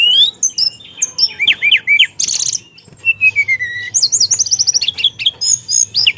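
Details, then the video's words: Hill Blue Flycatcher (teledekan) singing hard in rolling style with many inserted phrases: rapid zigzag whistles, a loud buzzy burst, a slow descending series of clear notes, then high ringing trills. "Burung Teledekan Gacor Dorr Ngeroll Isian"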